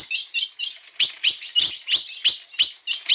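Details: Blue-black grosbeak described as 'bico de aço' delivering 'na pegada' song: a hurried series of sharp, downward-slurred chirps, about three per second, over a bright, continuous warble.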